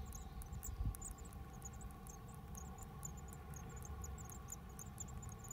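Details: A Japanese tit visiting a home mailbox in Japan on 9 May 2020 gives thin, very high, short notes in quick repeated bursts, several each second, over a steady low background rumble.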